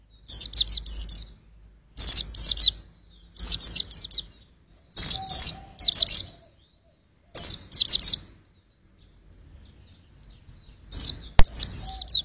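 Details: High-pitched white-eye song delivered as repeated clusters of quick, sharp twittering notes roughly every one to two seconds, with a longer silent stretch near the end before a final burst and a click.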